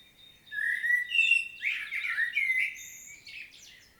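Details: Field recording from Świnoujście, Poland, 25 September 2022: a common blackbird sings a continuous mellow fluting phrase with rising and falling whistles, ending in a high scratchy twitter.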